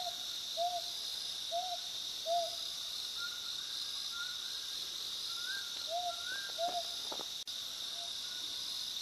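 Mountain scops owl gives short, soft whistled hoots, spaced about a second apart, with a few higher notes, over a loud, steady insect drone.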